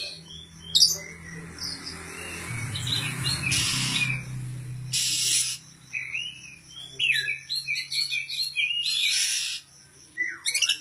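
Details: Oriental magpie-robin of the Poci/Kacer type, ready for competition and singing ngobra. Twisting whistled phrases and sharp chips come between loud hissing bursts of noise, over a steady low hum.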